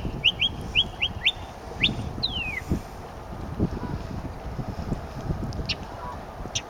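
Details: Northern mockingbird singing: quick repeated upslurred chirps, several in a row, then a long descending whistled slur, over steady low rumbling background noise.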